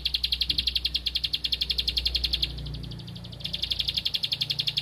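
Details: Bar-winged prinia singing in rice fields, searching for a rival: rapid, even series of sharp high clicking notes, about four per second, in bursts with a short pause midway; low rumble underneath.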